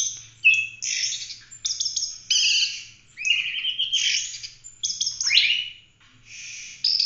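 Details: Continuous varied song of an Oriental magpie-robin (kacer), used for tutoring other songbirds: dense chattering, whistled notes and a clear downward slur near the end, delivered in rapid phrases with brief gaps.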